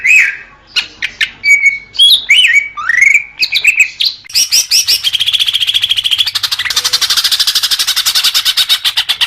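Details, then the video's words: Leafbird song meant to soothe young birds: a few clear looping whistles, then a long, fast, even trill of buzzy repeated notes running to the end. "suara kicau murai daun untuk terapi burung bakalan"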